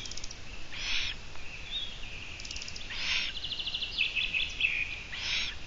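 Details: Long-eared owl on a live broadcast recorded 17 June 2017, 12:14: three harsh, breathy hiss-like calls spaced one to two seconds apart, over rapid chattering trills and whistles of other birds.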